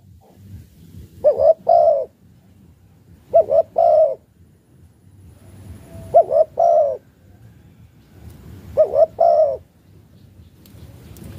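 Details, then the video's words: Spotted dove from Malaysia cooing in the chiêu gù style: four evenly spaced phrases, each a short soft coo followed by two longer, mellow, slightly wavering coos, with quiet low background rumble between phrases. "cu gáy chiêu gù ma lay si a"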